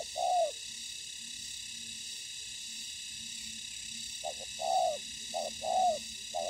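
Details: Spotted dove on the ground as a trapping decoy while fierce wild birds appear: one falling coo, a long quiet gap, then several more short-and-long coo pairs, with a faint low hum and a high background hiss.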